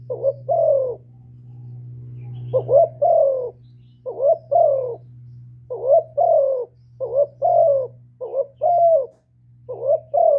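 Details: Spotted dove in the hạp bổi song style, a full sequence of calling, urging and cooing used to stir decoy birds; paired mid-pitched coos, a short rising note then a longer falling one, repeated in bursts over a steady low hum.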